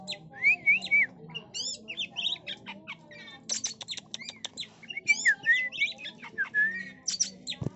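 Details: Calls of a female white-rumped shama kept for luring birds: clear whistled phrases that rise and waver, broken up by harsh clicks, chips and squawky notes in rapid bursts, with faint low background hum.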